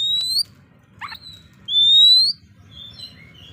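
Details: Clear whistling from an Oriental magpie-robin, used as fighting bait to anger opponent birds: a high note, a short buzzy burst, then a long pure whistle sliding gently upward, and faint lower phrases at the end.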